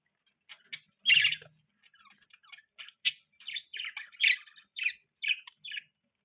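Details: Pet budgerigar chirping: a series of short, separate scratchy chirps and warbled notes, about a dozen over six seconds, against a quiet background.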